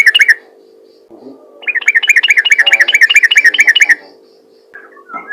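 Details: Calling yellow-vented bulbul, ropel ngalas style, aimed at other bulbuls: a few chirps, a pause, then a two-second burst of quick, evenly repeated bright notes, ending in quiet with a faint soft note.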